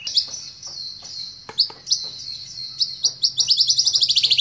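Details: White-rumped Shama, provoked by a lure recording, shows off its repertoire with high, sharp chip notes over a sustained thin tone, quickening at the end into a fast, even trill of bright pips.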